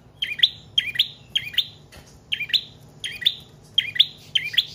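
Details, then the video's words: Paired bright chirps from a trotol or paot prinia, kept as a lure and tutor bird, repeated nearly twice a second with one short break midway. "Prenjak Trotol/Paot Gacor Panjang"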